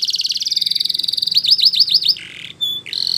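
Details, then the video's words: Spanish Timbrado canary in song, with a rapid rolling trill giving way to looping hooked notes, a low buzzy phrase, a thin short whistle and a final trill. "Canary Bird Singing !! Spanish Timbrado Song"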